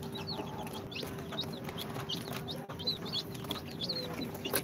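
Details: Newly hatched chicks on day two after incubation, Sultan, Golden Sebright, Cochin and booted breeds, make sparse high chirps and short slurred peeps amid soft shuffling noise and a low steady hum.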